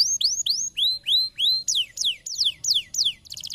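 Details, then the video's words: Canary song meant to stimulate other canaries into singing: a run of rising slurred whistles about four per second, then sharply falling notes, ending in a brief buzzy burst. "Canary tweets. Especially effective for the chirping of the ingredients canary"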